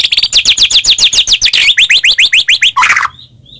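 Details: Lure recording of White-rumped shama song meant to get caged birds singing: a rapid series of bright, repeated upslurred notes about seven per second, ending in a harsher rasping note before quiet.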